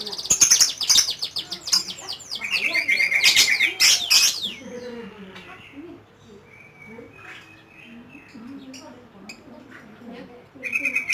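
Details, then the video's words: Lovebird ngekek song, opening with loud dense shrill chattering and buzzy high trills for about four seconds, then fading to faint low murmurs before a last short shrill burst. "LOVE BIRD || ngekek 8 kilo meter"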